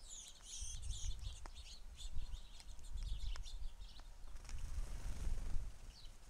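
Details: A large flock of house sparrows at a feeder gives dense, overlapping high chirps throughout, with bursts of fluttering wings and a steady low rumble underneath.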